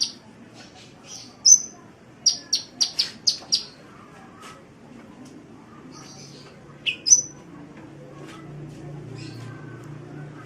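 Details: Sunbird song recorded for tutoring songbirds: a few sparse thin chirps, then a rapid series of about six sharp ticking notes, later a pair of bright whistles, ending in low hum.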